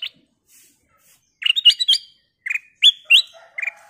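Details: Golden-coloured bulbul singing crisply as a prompt for other birds. Bright chirps and quick, rising, slurred whistles in uneven bursts, ending with a faint lower warble.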